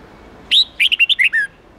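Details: Red-whiskered bulbul phrase in the 8-9-10 note wild-standard style used to train young birds: one drawn-out whistle, then six quick, sweet notes stepping slightly downward.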